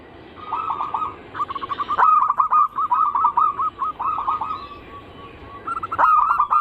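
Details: Lure recording of zebra dove anggungan song to make other zebra doves sing: a short trill, a click-led run of fast, evenly repeated rounded coo notes forming a stuttering roll, a quiet gap, then a final loud trill.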